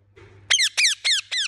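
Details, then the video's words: Agitated parrot giving four loud, grating chirps in even succession, each a rasping downward-sliding squeak, after a soft murmur at the start and a constant low hum. "Angry Chirping Parrot Sound"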